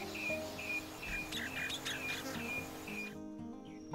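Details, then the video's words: A small feeding party of Black-chinned Honeyeaters (northern golden-backed race) foraging in eucalypt foliage along a watercourse near Alice Springs, central Australia, gives short, high whistled notes about twice a second with a few harsher buzzy notes, over soft music. "there's the distinctive call of black chinned honeyeater foraging in eucalypt foliage"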